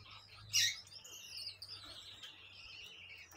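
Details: Gouldian finch singing: one loud sharp chip, then drawn-out, thin, buzzy high notes that waver and slowly fall, with a low hum underneath.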